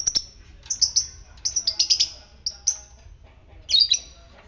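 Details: Fighter-type lovebird heard as a lure to get other lovebirds trilling: rapid runs of piercing high chirps in short clusters, pausing briefly, then a rougher burst near the end over a quiet hum.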